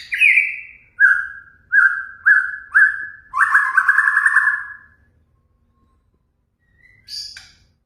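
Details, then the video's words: Shama song played to excite other birds into singing: a series of clear, steady whistled notes about every half second, ending in a longer rich warble, then silence and a last short, sharp chirp. "Pancingan murai batu 🔥 Naikan emosi burung auto ikut gacor"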